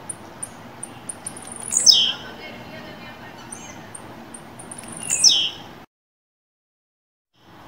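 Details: Blue-black grassquit kept in captivity, fibra-style song for warming up a bird to sing. Two descending, buzzy slurs about three seconds apart over soft high ticks, then a sudden silence.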